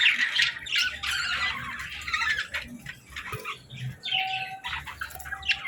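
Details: Baby budgerigars chattering while playing: bursts of scratchy warbled chirps and squeaks separated by short quieter gaps, with faint low thuds and a background hum.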